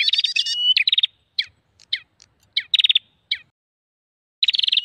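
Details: Prinia lure recording: an opening rush of buzzy trills with a whistle, then sparse sharp chips, a long silence, and a final trill burst.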